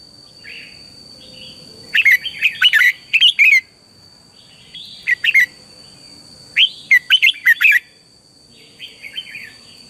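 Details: Red-whiskered bulbul morning song, used as decoy song for training birds to sing in the fiery 'căng lửa' style; two loud bursts of rapid whistled, warbling notes near two to four seconds and seven to eight seconds, softer phrases between, steady faint hum behind.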